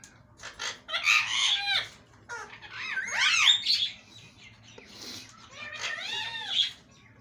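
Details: Talking pet parrot uttering three short word-like bursts of raspy, warbling syllables with bending pitch, separated by short gaps, heard indoors.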